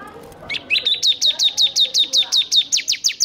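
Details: Bar-winged prinia in energetic full song, used as training audio for prinias that are reluctant to sing: a brief rising note, then a fast even series of sharp downslurred chips, about three per second.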